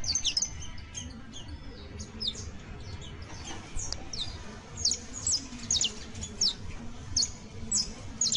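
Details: Saffron finch (Sicalis flaveola) song used to coach canaries: bright, high downslurred chips, dense at first, then spaced into clearer ringing notes about every half second, over a steady low hum.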